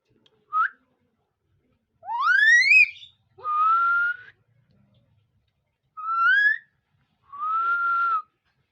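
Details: Talking common hill myna kept for sale: five loud clear whistles, two short and one long, sharply rising sweep, then level drawn-out notes near the same pitch, spaced about one to two seconds apart.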